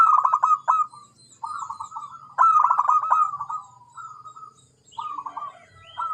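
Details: Zebra dove with rapid pulsed cooing phrases and drawn-out wavering notes over a faint low hum. A brief higher chirp from another bird comes near the end.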